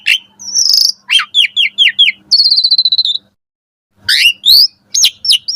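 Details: Asian pied starling's morning song for training caged birds: sweeping whistles, a run of five similar falling notes, a buzzy trill, a brief silence, then more rising and falling whistles.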